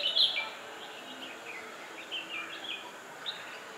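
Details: One of a pair of bulbuls in its natural habitat gives one bright, sharp chirp, then a scatter of softer, quick chirps over a steady background hiss.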